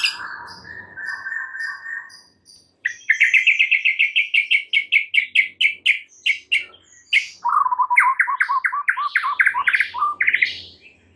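White-rumped shama singing rich, varied phrases: smooth whistles, then fast runs of sharp repeated notes and lower, swooping chirps, all clear and loud.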